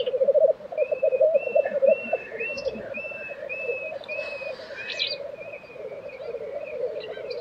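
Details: Black grouse at the lek in Tiveden, Sweden, April 2023: a dense, low bubbling, cooing murmur rolls on without pause, while another bird gives a thin, high whistled note repeated about once every half second over it.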